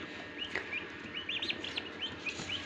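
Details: Freshly hatching domestic turkey chicks in an incubator at a turkey farm in Darrang, Assam. Thin, high peeps come faintly and irregularly over a constant low machine hum.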